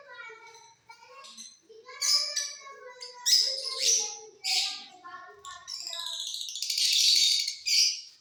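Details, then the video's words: Mutation lovebirds kept in a flight cage, singing in the off season with a run of scratchy chirps and buzzy squeaks in uneven bursts that build to a long rasping chatter near the end, while people murmur faintly behind. "Love birds Mutation singing during off session"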